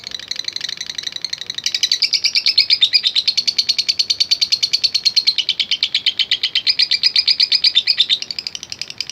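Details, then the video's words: Lovebird of the fighter kind, long ngekek chatter used to provoke other lovebirds: softer opening notes swell into a loud, rapid, grating chatter sustained for several seconds, then fade slightly. "Love Bird NGETIK Latah Gacor Ngekek Panjang | AMPUH Pancingan Love Bird Figter"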